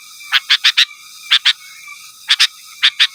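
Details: Sooty-headed bulbul calling rivals, recorded pure without other birds' songs; quick pairs and runs of short, sharp, bright notes separated by brief pauses, with a steady tonal hum underneath.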